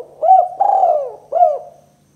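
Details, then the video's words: Spotted dove, 'kuk 2' call used to lure doves into traps: a short arched coo, a longer smooth coo sliding downward, then another short arched coo, mellow and low-pitched with little background noise. "Suara Burung Tekukur Kuk 2 Paling Gacor Terbukti Ampuh Untuk Pikat & Pancingan Tekukur"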